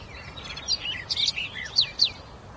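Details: Wild birds chirping: a quick run of bright, high twittering notes and short slurred whistles, several louder chips near the end, over a faint low background hiss.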